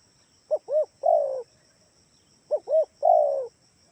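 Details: Two phrases of a spotted dove lure call, Kalimantan type, played to get other doves calling: each has a pair of quick low hoots leading into a longer falling coo, about two seconds apart, with a faint insect hum throughout.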